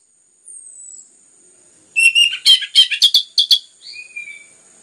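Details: Orange-headed thrush in a lure recording used to excite other birds into song: a thin high whistle, then a dense burst of rapid sharp notes and warbles, ending in a soft slurred whistle.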